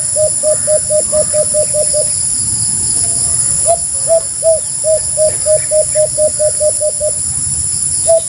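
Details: White-eared brown dove calling in two runs of rapid, low hoots: about nine clipped notes, a short gap, then a slower start that speeds into a longer even series, ending with one more hoot; constant background hiss.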